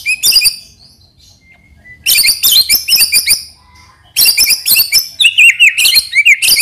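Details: White-rumped shama (murai batu) singing a lure song that prompts other birds to sing. It gives bursts of fast varied whistles, chattering notes and sharp clicks, separated by near-silent gaps.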